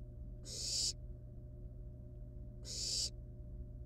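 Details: Wild barn owl nestlings with a live rat at the nest produce two loud, swelling hissing screeches that build and cut off abruptly, roughly two seconds apart.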